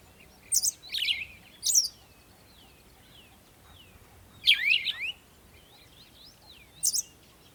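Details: Birds chirping at sunrise in the morning: high, quick descending chirps in brief bursts separated by gaps of about one to two seconds, with softer scattered twitters from other birds in the background.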